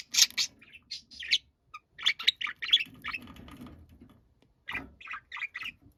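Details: Noisy pet budgerigar calling angrily: clusters of sharp, scratchy chirps and grating squawks, some rising, broken by short pauses, with soft murmuring room sound under the calls.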